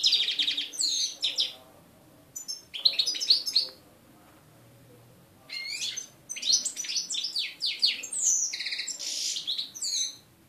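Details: European goldfinch singing in Voronezh, Russia: bursts of fast, high twittering and tinkling notes with buzzy trills, broken by short pauses.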